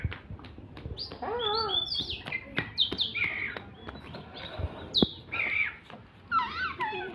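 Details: Oriental magpie-robin in full fighting song, pouring out varied phrases: wavering warbled notes, bright rising whistles and falling slurs in quick succession, with faint clicks and light background noise.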